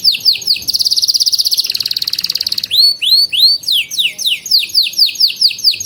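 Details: Canary training song for juveniles: opening swoops, then a loud rapid rattling trill and a drawn-out buzzy roll, followed by evenly spaced, loud, downward-curving whistled chirps.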